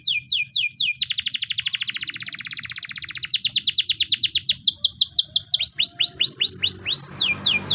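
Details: White Spanish Timbrado canary training song: fast repeated falling whistled notes, then a long rapid rolling trill, followed by quicker downslurred notes in rhythmic series, steady and continuous.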